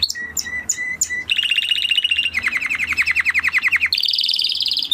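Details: Spanish Timbrado canary song: spaced high chirps, then rapid rattling trills at different pitches, a lower buzzy roll of quick notes, and a final bright high trill.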